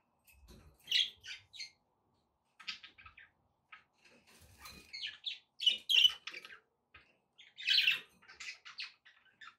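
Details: Budgies chirping as household pets: soft scattered tweets building into clusters of sharp, high squeaky notes and short raspy warbles, with quiet gaps between groups.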